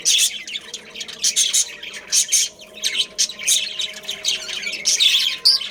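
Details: Captive budgerigar family in a breeding colony: a busy mix of scratchy squawks and high twittering chirps, arriving in clumps about every half second to second.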